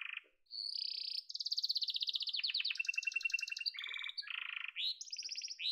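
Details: Yellow domestic canary in song, delivering fast pulsed trills that step between high and lower pitches, some buzzy rolls and a rising whistled note at the end, continuous with no other sounds.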